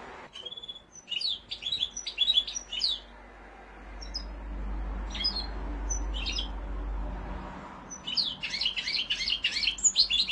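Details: Mosaic canary singing in separate bursts: rapid clusters of high chirped notes, a pause with a few isolated notes, then another fast twittering burst; steady low background rumble.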